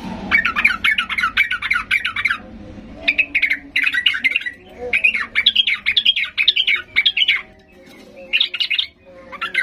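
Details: Highly worked-up yellow-vented bulbul in full song, played to stir silent bulbuls to respond: long rapid chattering phrases of bright warbled notes, broken by short gaps, phrases repeating across nearly ten seconds.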